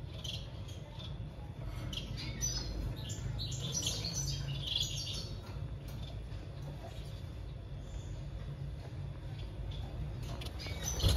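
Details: Society finches during breeding, with scattered high thin chirps and short twittering notes, mostly in the first half, over a steady background hiss and low hum.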